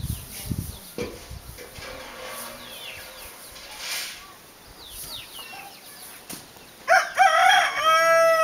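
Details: Hen with her chicks, training them how to search for food. Faint, high, sliding chick peeps run throughout, then a loud, harsh, rich-toned call rises near the end over rustling and background noise.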